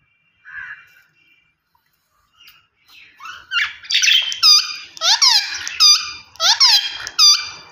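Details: Rose-ringed parakeet giving harsh, rasping screeches with falling notes, starting after a few faint soft squeaks and building into a rapid run of loud calls during the last four seconds.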